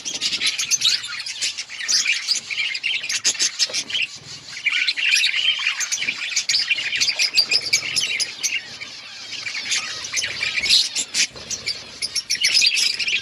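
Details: Budgerigar colony outdoors, a long unbroken chorus of high warbling chirps, clicks and occasional squawks from many birds, loud and dense throughout.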